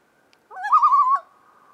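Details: Common loon calling in the BWCA, recorded with a Canon T2i and 70-300mm lens; a single wavering, slightly rising tone holds steady for under a second and then cuts off, with otherwise quiet surroundings.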